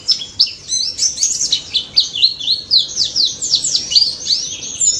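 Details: Fast, high white-eye song: a tight run of slurred chirps and twittering whistles repeated several times a second, steady and loud.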